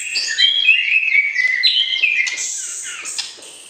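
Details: White-rumped shama, kept for breeding, singing to arouse the opposite sex before pairing: a rich run of clear whistled phrases sliding between mid and high pitch, with quick varied notes and a fading high trill at the end.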